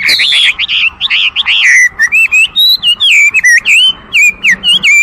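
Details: Chinese hwamei song of rapid, loud, rolling whistles that drop in pitch at first, then a string of brief clear slurred notes at a steady pace.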